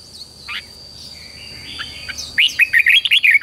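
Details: Red-whiskered bulbul song for training young birds to sing: a single slurred note and quiet chatter, then a rapid, loud sequence of rolling warbled notes closing the phrase.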